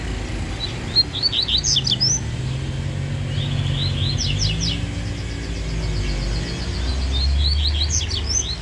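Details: Rusty-collared seedeater from Bahia in a singing contest, fast and spirited: rapid bursts of sharp, high descending chirps and trills in three separate phrases, with a steady low engine-like rumble underneath.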